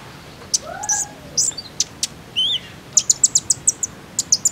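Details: Common iora lure sound for encouraging captive birds to sing: scattered high chirps, a lower sliding whistle and a wavering whistled note, then a steady series of clipped high notes about four per second.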